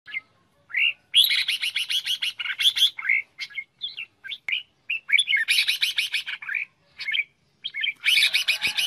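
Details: Red-whiskered bulbul singing a competitive 'hót ché' song used as a decoy for trapping and for training birds: short bright chirping phrases, some rapid trilled runs, separated by brief silent pauses.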